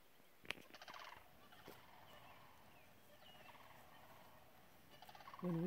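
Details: Distant sandhill cranes during a mating dance, giving rolling, rattling trumpeted calls in two bursts that echo across open scenery, followed by a louder low tonal sound at the end.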